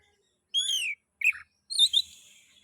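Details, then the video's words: Oriental magpie-robin (kacer) lure song to get other magpie-robins singing: a clear downward-sliding whistle, a short harsh note, then a buzzy trailing phrase. "Pancingan kacer ngeplay...cocok untuk merangsang bunyi kacer"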